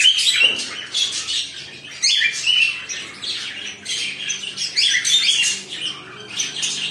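Cockatiels give a rapid run of high, scratchy chirps and squawks during mating.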